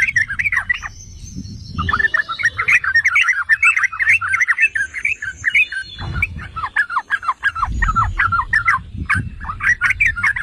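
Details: Yellow-vented bulbul song played to provoke other bulbuls into singing: continuous rapid bubbling chatter of short notes, briefly paused, with low thumping noises in the background.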